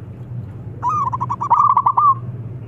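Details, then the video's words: A local wild zebra dove with a big voice, used as a lure bird, gives one fast staccato run of soft, mid-pitched coos lasting about a second and a half, over a low steady hum. "Perkutut Lokal Alam Suara Besar Ampuh Buat Pancingan"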